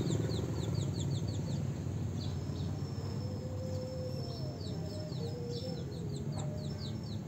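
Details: During mating time, house sparrows chatter in a rapid burst of sharp descending chirps at the start, then sparser chirps later, over a loud low background hum.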